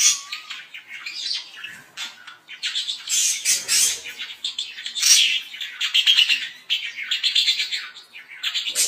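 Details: Budgerigars mating in captivity: continuous busy warbling chatter of scratchy notes, squawks and thin whistles, loud and unbroken throughout.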